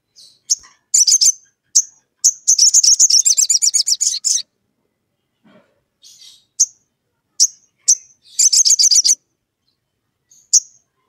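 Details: A sogon, said to be calling a rival, gives very high, sharp single piercing chips broken by fast, buzzy trills lasting a second or two, with short silences between and no other sounds.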